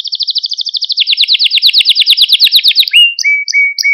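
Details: Male Maltese canary in song, played to excite other canaries: a fast rolling trill of rapid repeated notes lasting about three seconds, dropping slightly midway, followed by long pure whistled notes alternating high and lower.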